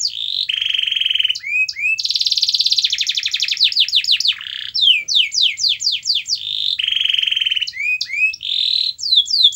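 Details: Canary song played for a canary that will not sing: alternating long steady whistles, dense rapid trills and bursts of swift falling sweeps, the phrases repeating in varied order.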